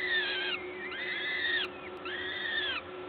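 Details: Gdańsk peregrine falcon nest, 14 May 2022, 11:07, parent feeding: three strong, drawn-out, arching wails with layered harmonics, each lasting over half a second, given in steady succession.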